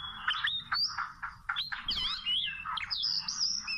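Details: Oriental magpie-robin from the wild, trapped with small ropes, singing a sequence of bright whistled notes and wavy slurs that grows fuller toward the end.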